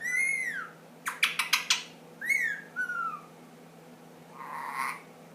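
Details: Young pet ring-necked parakeet, ten months old, giving a falling arched squawk, a quick run of four sharp clicks, two short descending calls, then a soft breathy rasp over faint room hum.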